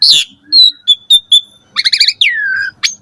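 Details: Caged-bird training song of an Asian pied starling in the morning: a harsh note, three short steady whistles, a stuttering harmonic phrase and a long downward-sliding whistle.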